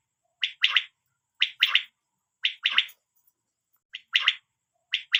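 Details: A quail gives sharp three-part calls, a brief pickup note then two fast bright bursts, about once a second, six times in all, with silence between phrases and no other sounds.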